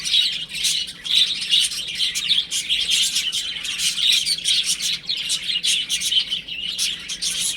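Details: Young chickens playing indoors at home, a busy flock of chicks peeping constantly; sharp, high, clipped chirps tumble over one another in rapid bursts throughout.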